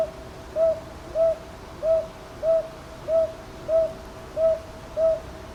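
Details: Northern boobook recorded 22 May 2023 in Ichijoji, Sakyo Ward, Kyoto, Japan, using a TASCAM DR-100MKIII; eight gentle, mid-pitched hoots falling into regular twos, about one every 0.6 seconds, over a quiet backdrop.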